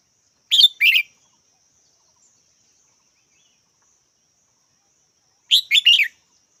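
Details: Short chirped phrases from a red-whiskered bulbul: first a two-note call, then after five seconds a quicker three-note version, high and slightly rolling.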